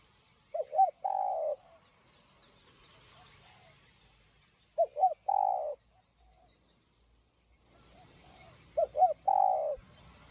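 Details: Spotted dove in 'giọng đồng' voice, song for stimulating and luring other doves: three evenly spaced phrases roughly four seconds apart, each two short hoots and a longer low coo, with soft rustling in between.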